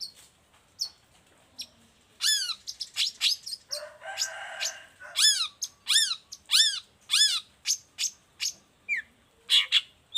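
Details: Long-tailed shrike song used as a model for other shrikes: scattered sharp notes, then bursts of stacked down-slurred chattering notes with a harsh rasping passage, delivered in irregular bursts.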